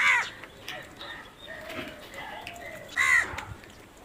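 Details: Crow cawing: a loud harsh caw at the start and another about three seconds later, with softer distant calls and background noise between them.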